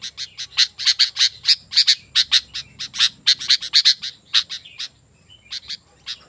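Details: Chattering song of a sooty-headed bulbul, offered to lure wild birds and tutor captive ones: quick bright chirps repeated several times a second, fading to a few scattered notes near the end.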